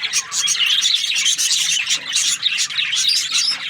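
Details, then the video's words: Budgerigars kept as breeding pairs chirp in a dense, continuous flock chatter of high, squeaky, warbling notes with no pauses. "Budgies parrot chirping sounds | breeding pairs"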